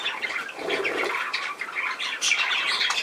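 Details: Budgerigar chatter: rapid scratchy warbles and short harsh squawks overlapping without a break, with a brief lower, softer murmur near the middle.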